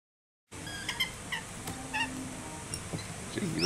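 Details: Fearless rainbow lorikeets on Brampton Island, Southern Whitsundays, coming very close to people to steal breakfast jam and pastry, giving short, harsh, screechy chirps about every half second, ending in a rising squeal, over a steady background hiss.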